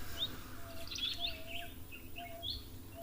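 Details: On an afternoon at an African waterhole on 30 September 2025, a Jameson's firefinch, identified by the guide, gives thin, high chirps and short trills over three seconds, with a lower steady whistle repeating and a low outdoor rumble underneath.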